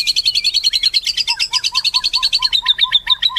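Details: White-rumped shama delivering a rapid high chattering trill, notes repeated over three times a second, joined midway by a lower soft note repeated in regular rhythm.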